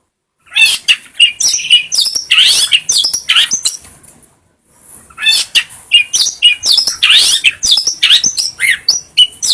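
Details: Long-tailed shrike song used as training material and to provoke other birds into singing: rapid, varied chirps, sharp buzzy notes and squeaky rising phrases in dense bursts, a brief pause near four seconds, then renewed chattering.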